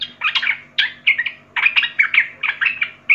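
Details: Quick, jumbled bulbul phrases from a young forest sooty-headed bulbul: short bubbly clusters of fluty and chattering notes, repeated about every half second.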